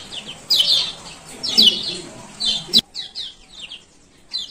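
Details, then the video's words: Male lemon-bellied white-eye from Lombok giving 'ciak ciak' calls, a recording played to coax quiet caged birds into singing: sharp, high, slurred chirps in quick bursts over a hissy background, with a loud click midway. "Pancingan Kecial Kuning Malas Buka Paruh"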